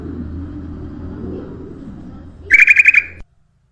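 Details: Ruby-throated bulbul song played as a lure for other birds: one brief bubbling, pulsed phrase near the end after a low-pitched hum, then an abrupt cut to silence.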